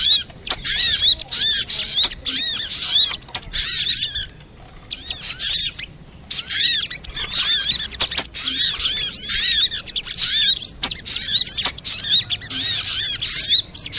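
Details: Sunbird calls played as a lure to get kept birds singing. Long runs of sharp, high-pitched arched notes and busy twitters, broken by short gaps, with scattered clicks.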